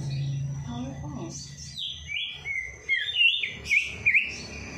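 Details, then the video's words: Songbird singing after its night bath, played to stir lazy birds into song: a low steady hum at first, then fluttering high warbles and sharp rising whistled notes grow louder toward the end. "Perangsang Burung Malas Bunyi || Habis Mandi Malam Langsung Cor Dor"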